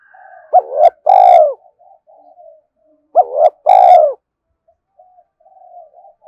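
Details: Spotted dove used as a decoy to excite wild males, delivering two identical three-part coo phrases about three seconds apart, each a quick rising note, a hoarse swell and a long loud falling coo, faint murmurs between.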